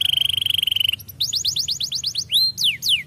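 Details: Canary gives a rapid pulsed trill, then a string of quick rising-falling chirps and two strong arching whistled slurs sweeping down in pitch.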